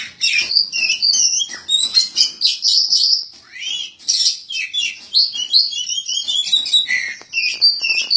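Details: Songbird contest, Bupati Cup 2017: a national-champion Kacer Poci, the white-breasted magpie-robin, delivers a rapid, varied song of sharp chirps, trills and slurred whistles, with short phrases repeated almost without pause.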